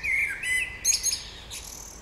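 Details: Spring birdsong with loud, high chirps and trills, a wavering whistle at the start, then rapid buzzy notes in quick bursts.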